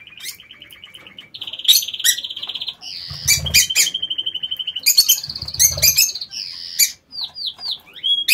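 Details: Captive lovebirds in an aviary chatter with buzzy rapid trills, shrill chirps and falling whistled squeaks, calls overlapping throughout.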